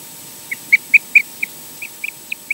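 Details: Osprey at a Scottish nest during mating and a changeover between the pair, on a nest camera; a rapid run of about ten short, high, piercing whistled chirps, a few louder, spaced irregularly under half a second apart.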